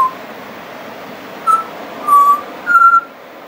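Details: Three pure, flute-like whistles from a friendly pied butcherbird that keeps singing, its song said to contain mimicry; each note is held briefly, the last slightly higher, with quiet gaps between.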